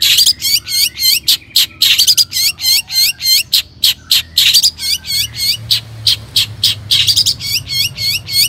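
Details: Long-tailed shrike singing vigorously as a lure to make other shrikes sing. Fast strings of loud, ringing hooked notes repeat several times a second in clustered bursts, mixed with short gaps and a faint low background hum.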